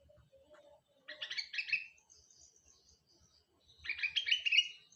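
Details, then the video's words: Sooty-headed bulbul heard in the morning, a gacor bird with isian song, giving two dense bursts of rapid, bright chattering notes about three seconds apart, with soft low thumps between them. "kutilang isian gacor pagi hari"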